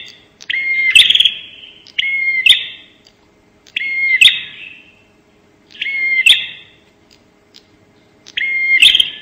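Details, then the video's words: Bar-winged prinia giving a 'nembak' lure call: buzzy, scratchy bursts about a second long, each with a rising whistled slur and sharp clicks, repeated roughly every two seconds in a quiet setting. "pancingan suara burung prenjak nembak"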